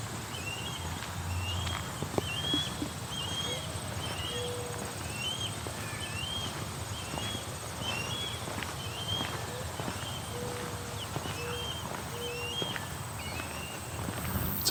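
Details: A very hungry osprey, probably juvenile, along the Grand River in a park farm area of Waterloo, Ontario, on a hot day gives a steady series of short, whistled, upslurred chirps, one or two a second, over faint background noise and brief human sounds.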